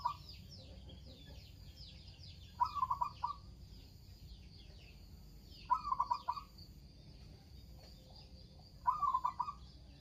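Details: Local zebra dove singing energetically, giving three short bursts of quick mellow staccato coos about three seconds apart, with faint high chirping of other birds in the background.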